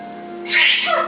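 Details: Kofi, a 10-month-old pet Timneh African grey parrot (Psittacus timneh) with an 85-word vocabulary, gives a short, breathy, hissing sneeze and brief falling squeak over low hum; owner suspects allergy. Recorded April 2010.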